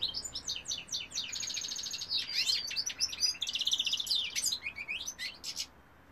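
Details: Male European goldfinch delivering quick repeated chirps and a rattling buzzy trill amid high liquid twittering, ending abruptly into quiet.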